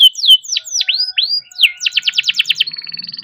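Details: Canary singing a long, rapid 'gacor' song used to prompt other canaries to sing: sweeping whistled slurs, then a fast run of repeated bright trilled notes, ending in a steady high buzzy roll.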